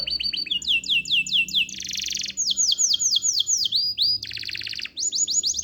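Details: Canary in loud, energetic song: long runs of sharp descending whistled notes, about two per second, broken by dense buzzy rolls and ending with fast repeated trills.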